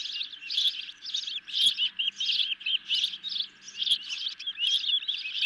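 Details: Hungry ospreys at the nest, given a medium-sized fish late at night on 10 July 2021, caught by a nest camera: rapid high chirps in short bursts, repeated roughly every half second, with a faint steady hum beneath.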